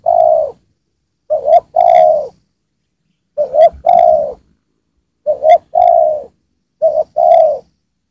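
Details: Spotted dove, a well-singing ('gacor') decoy bird used to lure wild spotted doves down, cooing: each phrase is two quick clipped notes then a longer, slightly falling coo, repeated about every two seconds with silence between.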